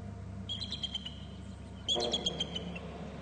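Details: Wild bald eagle pair at their nest territory on Hornby Island, both birds flying in and calling on arrival; two bursts of high, thin, chittering piped notes, the second louder and closer, over a steady low hum.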